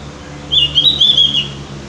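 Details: Prompting song of the Javan grey-throated white-eye: a brief, high, wavering warble of linked chirps lasting under a second, over a faint low hum.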